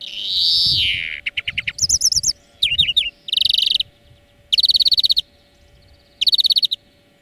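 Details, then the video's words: European greenfinch singing for bird training: it opens with a long wheeze, then a varied run of twitters, warbled trills and several dense buzzy rattles spaced about a second apart, over a low hum. "Florya Ötüm Dersi"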